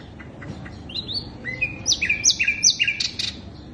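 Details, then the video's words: Sikatan londo flycatcher song used as a lure to attract birds: a run of sharp whistled notes, some rising, others dropping in short steps, delivered quickly in a tight burst after a few soft chips. "Pancingan burung sikatan londo"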